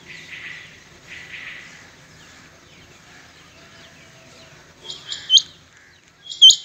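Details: Rain quail; call; rival birds calling in competition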